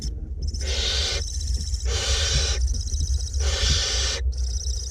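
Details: Barn owlets, two, being fed in a north Glasgow nest box; overlapping harsh hissing screeches run almost continuously in pulsing waves over a steady low rumble.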